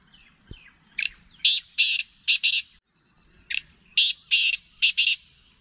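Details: Black francolin calling two harsh, rasping phrases of about five buzzy notes each, the phrases separated by a brief pause of roughly a second, with quiet surroundings.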